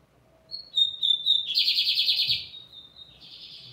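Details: Singing lined seedeater: a series of short, pure whistles, then a long, dense, buzzy trill, ending with softer whistled and rasping notes.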